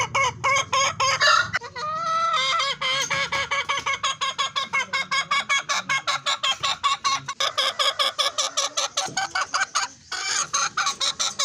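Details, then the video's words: Fancy hen calling continuously: drawn, wavering squawks at the start give way to a long train of rapid, rhythmic clucking notes, with a brief pause near the end before calling resumes. "Fancy Murgi Singing||Hen sound effect||Chicken Sound"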